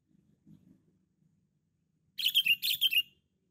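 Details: Sooty-headed bulbul, a loud, constantly singing bird used for luring. After quiet background rumble, two quick bursts of bright, warbling notes ring out, each phrase of two or three slurred whistles falling slightly at the end.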